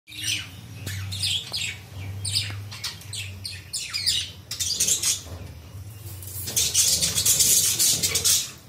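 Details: A colony of budgerigars chatters with rapid, overlapping squawks, chirps and warbled notes.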